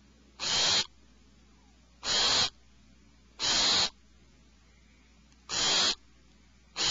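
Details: Alarmed owlets in a nest cavity give five raspy, hissing screeches at intervals of about one to one and a half seconds. The last is cut off at the end.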